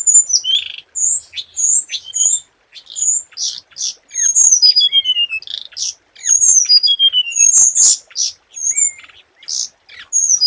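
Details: Scarlet minivet lure song, delivered almost continuously. Bright high whistles alternate with descending slurred whistles, short upward flicks and buzzy chips. The phrases repeat roughly every second, with a few brief gaps.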